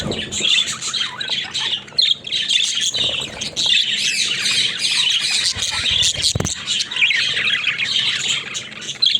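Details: Pet budgerigars in daily life, called talking budgies: steady busy warbling and squawky chatter throughout, several birds overlapping, a low knock near the six-second mark.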